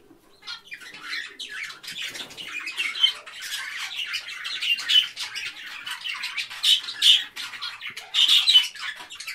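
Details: Many parakeets chirp together in a dense, continuous chatter of overlapping high twittering notes that grows busier toward the end.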